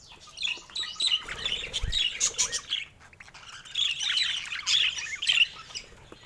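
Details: Budgerigar chick giving its first calls: bursts of high, scratchy chirps and squawks with short pauses between them. Other similar chattering birds overlap in the background.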